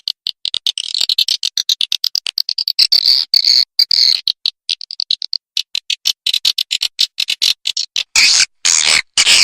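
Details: Swiftlets in a lure track for swiftlet farming meant to pull birds in: long trains of quick high clicks and short chirps, a denser twittering stretch in the middle, and a few loud harsh bursts near the end.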